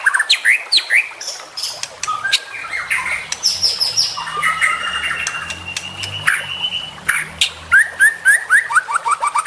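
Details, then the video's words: Juvenile white-rumped shama song mixing harsh squawky notes, sharp clicks and sliding whistles in irregular bursts, over a faint low hum. "MASTERAN Trotolan Murai Juara Supaya Cepat Rajin Bunyi & Gacor"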